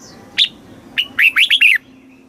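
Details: Red-whiskered bulbul singing a southern master-phrase song meant to stimulate caged birds and teach young ones: one crisp opening note, then a short run of four or five warbled, down-slurred whistles.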